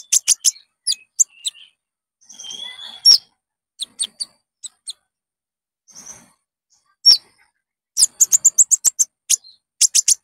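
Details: Olive-backed sunbird (konin) lure song for caged birds: scattered sharp high chips and a thin drawn whistle, ending in a fast rattling run of chirps.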